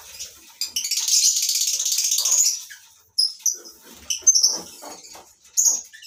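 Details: Caged lovebirds in a colony breeding setup give a long, rapidly pulsed shrill trill lasting about two seconds, followed by scattered sharp squeaks and chirps.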